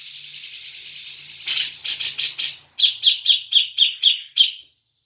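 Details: Grey-cheeked bulbul: a steady hissing buzz swells into harsh chattering. Then comes a brisk series of about seven sharp, clear repeated notes, roughly four a second. Played to get a caged bird singing.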